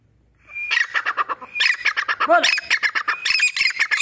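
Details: A grey francolin being trained gives loud, harsh, squawking notes in rapid bursts of about five per second; one lower, wavering note breaks in midway.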